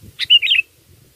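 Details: Sooty-headed bulbul song used as a lure for catching birds: a single short, bright chirping phrase of quick bubbly notes lasting about half a second, over a quiet background.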